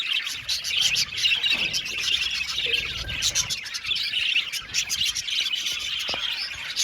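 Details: Budgerigars singing in a group: bright, dense twittering and chirruping, steady and busy from start to finish.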